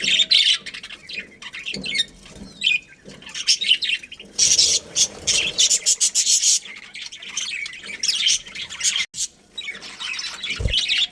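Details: Colony of breeding budgerigars chattering: scattered high chirps, then a loud dense run of rapid scratchy squawks, followed by softer warbling and one low thump near the end.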